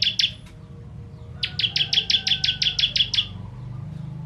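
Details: Ciblek kristal or bar-winged prinia, recorded as a model for contest birds: two opening chips, a pause, then a quick run of about twelve bright clipped notes.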